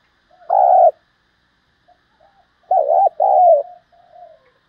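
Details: Spotted dove coo with a fine thổ-style voice, used for exciting and training trap lure birds: one loud mellow coo note, then a paired rising-falling coo phrase two seconds later, with faint murmuring notes in between.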